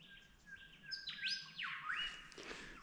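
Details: White-plumed Honeyeater along a creek in woodland travelling stock reserves near Barraba, NSW, gives its melodic call: bright whistled notes, steady tones, then quick rising and swooping slurs, over faint hiss.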